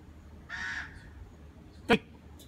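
A barn owl gives one brief, harsh, rasping screech lasting about a third of a second, followed by a single sharp knock.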